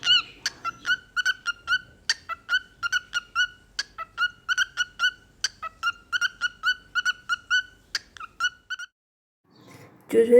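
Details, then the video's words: Pet male cockatiel singing with its owner at home: a quick run of short, clipped chirping notes, about four a second, steady in pitch, ending in a brief pause before a burst of noise. "Adorable Cockatiel Jojo Sings and Shares Fun Moments"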